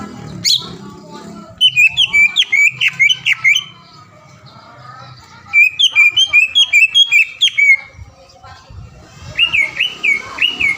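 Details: Lure song of a green leafbird, meant to make an opposing bird sing at once: three bouts of rapid, evenly spaced whistled notes mixed with sharp high chirps, separated by pauses, after a brief low thump.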